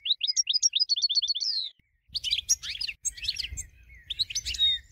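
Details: Competition-winning goldfinch used to train other birds: opens with a neat trill of about a dozen rising whistled notes, then shifts after a short pause into dense, scratchy, high twittering phrases.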